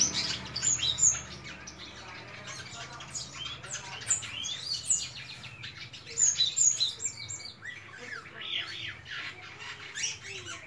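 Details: White-shouldered starling singing its melodious song: a dense, continuous run of high chattering notes, squeaky whistles and short buzzy phrases, with brief bright whistled peaks around one, five and six and a half seconds.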